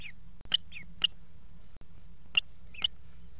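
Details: Common Kestrel nestlings, four in a nest box, begging as the mother feeds them at 17:00 on 28 June 2016; five brief, sharp, high chirps come in uneven pairs against a quiet low drone and faint clicks.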